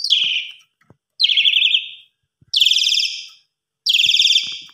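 An Asian pied starling gives four loud, harsh, grating bursts, each under a second long and spaced about a second apart, with a few faint clicks between.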